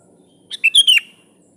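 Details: A single bright phrase from a sooty-headed bulbul calling a rival: a short note, then three ringing chirps, the final one dropping in pitch.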